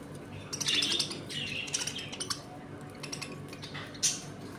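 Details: Caged budgerigars in a home colony, feeding and playing: a lively run of warbled chirps and buzzy trills from more than one bird, ending in a sharp single squeak.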